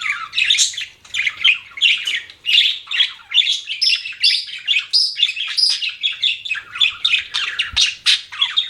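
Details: Budgerigar chirping in a steady rhythm of short warbled chirps, several per second, bright and twittery, with a few harsher notes toward the end.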